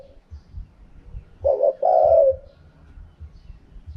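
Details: A single full phrase from a spotted dove in khaham pa wild style: a brief note, then a long throaty coo that fades downward, set among soft, low knocking sounds.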